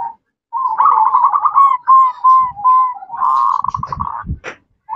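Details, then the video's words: Female zebra dove calling to the male with ngerot, nretek and manggung call styles: rapid trilled cooing notes, held and broken into short pulses, followed by a soft burst and some low knocking thumps near the end. "Perkutut Betina Cerewet Memanggil Jantan, Ngerot,Nretek, Manggung"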